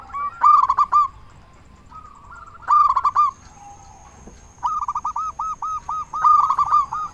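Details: Local zebra dove singing to lure other doves into answering: short clusters of rolling coos broken by pauses, then a steady run of evenly spaced arched coos, with a thin high tone running through.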